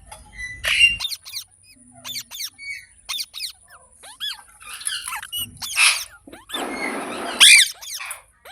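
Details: Chirping green parrot (rose-ringed parakeet): loud, piercing, clipped chirps and curved screeches in scattered bursts, with a rough, raspy squawk near the end and short silences between calls.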